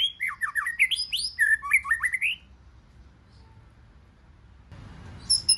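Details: White-rumped shama, wild-caught, stimulated into fighting song: two seconds of fast bright whistled trills and downward sweeps, then near silence, ending with faint high notes and background noise.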